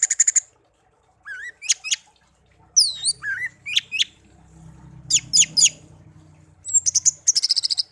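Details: Pet songbird taken from a garden and raised by hand from young until it could sing, kept one year and tame. It gives a varied song of high whistles, rising slurred notes and fast rattling trills in bursts.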